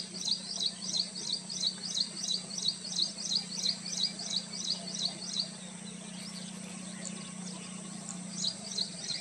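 Red avadavat giving thin, high chirps about three a second for six seconds, then a brief resumption, over a steady low mechanical hum.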